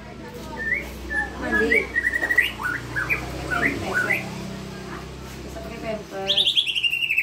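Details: White-rumped shama singing as a tutor for young birds: varied clear whistled notes, rising and falling, with a rapid high trill near the end. Low voices run in the background.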